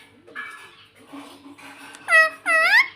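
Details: Soft murmuring chatter from a pet rose-ringed parakeet, then two loud, drawn-out harsh squawks, each curving up and down in pitch.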